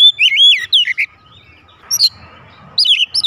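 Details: Kept oriental magpie-robin responding instantly with loud song: rapid clear whistled notes, a pause, then a sharp high note and another quick burst of looping whistles.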